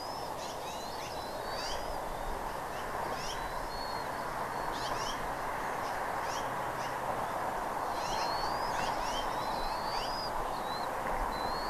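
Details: At Redding on 17 April 2021, 08:15, bald eagle calls: clusters of quick high chips followed by longer upward-sweeping whistles, with persistent hiss throughout.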